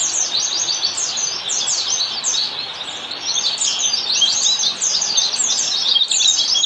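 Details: Pleci, the Oriental white-eye, in standard ngalas style as a master for caged birds: an unbroken, high-pitched jumble of quick chips and downslurred twitters, lively and dense throughout.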